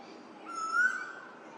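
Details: Eastern Koel, called the 'rainbird', a male calling over the Lane Cove River valley, Australia, in spring to announce his arrival. A single clear whistled note that swells and slides upward, with faint high chirps behind.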